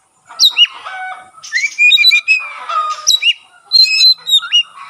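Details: Magpie-robin in lively song with its tail spread, a song said to trigger song in other magpie-robins; sharp whistled slurs, a long level whistle and rasping chatter mixed together.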